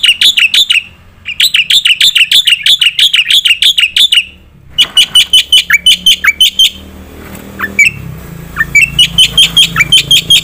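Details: Competition-tutor song of a black-winged myna, delivered in full "nembak" style with filler: long runs of sharp, high chirps at a steady quick pace, broken by brief pauses, with some descending slurred notes and a faint background hiss near the end.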